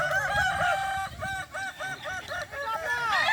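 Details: Crowing contest final for Kukuak Balenggek chickens, boko class, Sirukam dairy farm in Solok regency: a long stepped crow of short arched syllables, about eight in quick succession with brief gaps, ending on a longer falling note.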